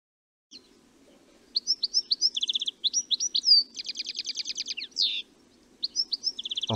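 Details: European goldfinch flight call: bright, tinkling twittered calls in quick runs, a liquid 'stieglitt' rhythm with buzzy trills, over a soft low murmur.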